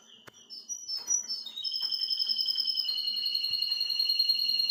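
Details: Teaching song of a nine-year-old male Russian canary to his grandchildren: soft chirps rise into an intense, even, high-pitched rolling trill that keeps going steadily to the end.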